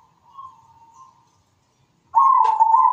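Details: Zebra dove singing in a melodious, echoing voice: a soft, faint coo, a pause, then a loud, steady, vibrating coo phrase of nearly one second.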